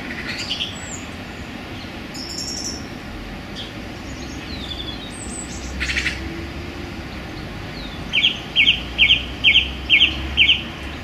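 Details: Song thrush in a London park in January sun. Faint distant notes give way to a loud run of six rapid identical notes, evenly spaced about half a second apart.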